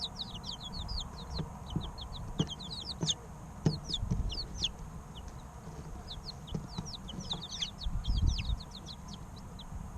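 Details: Group of three-week-old chicks in real time, sharp high peeps falling in pitch, tumbling over one another almost continuously, with occasional soft knocks and a low steady hum.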